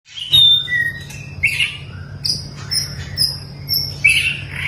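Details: Long-tailed white-rumped shama being trained for mental toughness, giving varied whistled notes and buzzy phrases with pauses, over a steady low hum.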